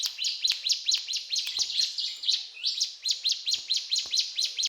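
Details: Lively song of a mountain tailorbird: dense, piercing high chips delivered in a quick, regular stream of about two notes per second, briefly broken by a short whistled slur midway.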